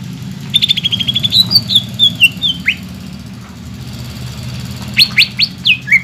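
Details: Greater green leafbird singing in full voice, used as a lure to get young birds singing: a run of high whistled notes slurring downward, a pause, then a burst of rising and falling whistles, over a steady low engine-like hum.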